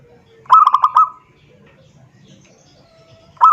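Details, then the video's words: A zebra dove calls to a rival as a lure. One rapid phrase of stuttered, hollow coos holds a steady pitch. Nearly two seconds of quiet follow, and then the next phrase begins. "suara perkutut memanggil lawan"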